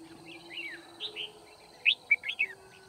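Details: Singing red-whiskered bulbul used as a decoy in trapping at Kim Bôi, 9 February 2019. Soft slurred warbles lead into a loud, rapid phrase of sharp rising and falling whistled chirps, set against a steady background whine.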